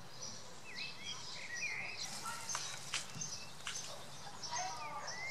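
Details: Eurasian blackbird chicks in a nest built this spring in a cherry laurel bush in a garden give thin, high, almost steady cheeping, with a few lower squeaky slurred notes and sharp rustling clicks.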